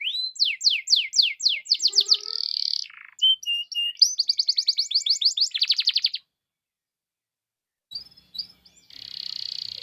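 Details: Vigorous canary singing meant to trigger other canaries into song: rapid descending whistles running into a buzzy roll, short chirps, another fast series of falling notes, a pause, then a fresh buzzy trill.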